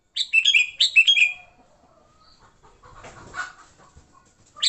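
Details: Sooty-headed bulbul singing in fighting mode, used as a lure for bulbuls: a quick run of chattering, descending chirps in the first second, then quieter rustling and a brief note at the end.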